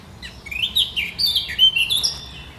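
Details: Great reed warbler, recorded 1 July 2020, delivering its sharp, chattering song: loud, close phrases of rasping, squeaky and whistled notes that jump up and down in pitch in rapid succession, with little background noise.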